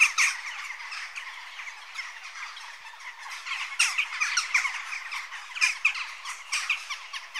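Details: Dense, scratchy calling of Western jackdaws, rapid overlapping squawks forming a steady churn, swelling louder in the second half.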